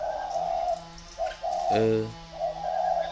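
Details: Two decoy spotted doves in competition cooing in low rolling phrases, interrupted midway by a brief human voice before the coos resume.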